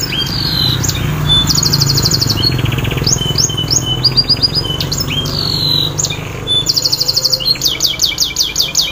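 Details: Canary singing to coax a stalled bird to sing again, a high varied stream of fast trills, descending whistled slurs and bright rolls, with a steady low droning hum beneath.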